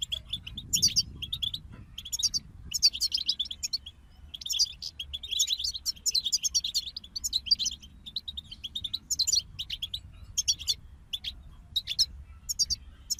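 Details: A group of European goldfinches singing: rapid, liquid twittering phrases of high tinkling and buzzy notes in bursts separated by short pauses, with a faint low hum underneath.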